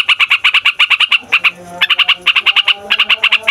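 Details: Yellow-vented bulbul, a fighter-type bird, singing a long rolling song meant to provoke songbirds: rapid bright notes repeated about eight per second, with a short pause near the middle before the roll resumes.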